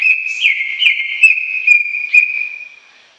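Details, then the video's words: Long, lively 'gacor' song of a greater green leafbird: a steady mid-pitched whistle broken by quick upward flicks roughly every half second, tapering away at the end. "Suara Kicau CUCAK IJO Gacor Panjang Khusus Untuk Cucak IJO Yang mogok NGOCEH"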